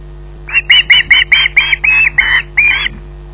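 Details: At Loch Garten an osprey waiting for food calls in a quick burst of about ten loud grating squawks, the later ones longer, then falls silent. Low electrical hum throughout.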